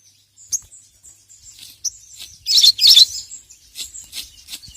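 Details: Little spiderhunter (sogon), a bird calling a rival, recorded as a master track for training other birds: scattered high, thin chirps, then two loud, dense buzzy bursts near the middle, with softer twitters after.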